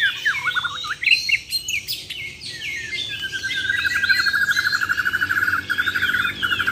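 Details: Champion Borneo White-rumped shamas singing tembakan and besetan: varied whistles and scratchy notes give way to a long, fast, even trill of repeated notes.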